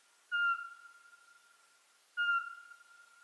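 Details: Two crisp whistled hoots of a Eurasian pygmy owl about 1.85 seconds apart, each an even mid-pitched tone with a long fading tail in quiet surroundings.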